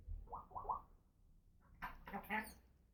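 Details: Talking female pet African grey parrot: three quick voiced syllables, a short pause, then three louder, harsher speech-like syllables with broad, noisy overtones.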